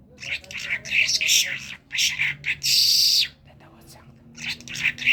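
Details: Chattering, squeaky phrases from a talking common myna of Kerman are broken by a loud grating hiss, a pause, then more squeaky chatter.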